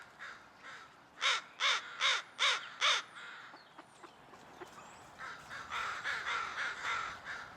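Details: Crows, part of a large group calling outdoors while one bird rests nearby: five loud, harsh caws evenly spaced about half a second apart, followed by a fainter, more distant chorus of repeated caws.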